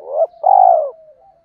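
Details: Single spotted dove phrase from a lure recording for stirring new captives and training decoys: a short swelling note, a tiny gap, then a long throbbing coo that fades into a faint hum.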